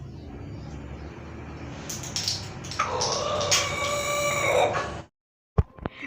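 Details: A startled rooster, reacting to a bottle or other object thrown at it, gives a loud, harsh, strained alarm squawk for about three seconds that ends abruptly, then a few sharp knocks over steady background hiss.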